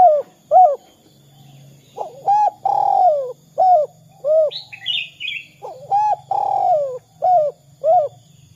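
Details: Spotted dove, 'kuk 2' style lure call for other doves. Two full coo phrases, each built of arched notes around one long descending coo, with short single notes between them. Higher chirping from another bird sounds in the middle, over a low steady hum.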